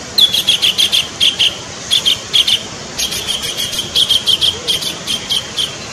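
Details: Kingfisher (tengkek), a protected bird in Indonesia, perched on a distant branch tip, gives quick runs of sharp, high, piercing notes, several a second, with a short pause midway over a faint hiss.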